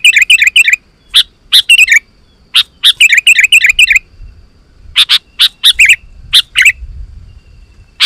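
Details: Sooty-headed bulbul in lively song, meant to draw wild bulbuls into answering: quick bursts of chattering twitters alternate with separate sharp chirps, with brief quiet gaps between phrases.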